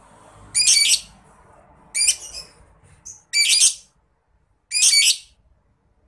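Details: A lovebird gives its long chattering "ngekek" song, offered as a master recording for training contest birds: four harsh, high, buzzy bursts, each under a second and about one and a half seconds apart, with faint chirps between.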